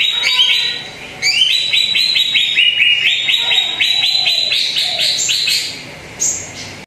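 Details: Greater green leafbird song played to make a quiet bird start singing: a long, lively series of rapid rising whistled notes, stepping higher toward the end, with a high squeaky note near the finish.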